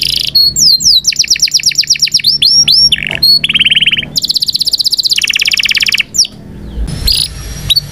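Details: Loud Indonesian canary song for training young birds, rapid sweeping whistles changing into rattling rolls and high buzzy trills, each tour held a second or two before a new one begins.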